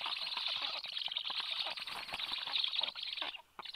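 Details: Black stork chicks at the nest beg with a continuous rasping hiss, broken by quick scratchy bursts and clicks, during an evening feed by an adult at 19:54 on 30 July. The hiss cuts off briefly near the end.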